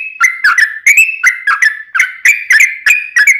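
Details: Yellow-vented bulbul pouring out a rapid ropelan song, used to train birds and lure wild bulbuls: short liquid whistles, each dropping then rising, fired in quick succession with bright ticking accents.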